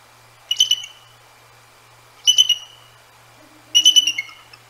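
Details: Bald Eagles on the Decorah North nest at night in January, reacting to two Great Horned Owls calling back and forth; three short, shrill chittering bursts spaced over a second apart, with a faint low hoot between.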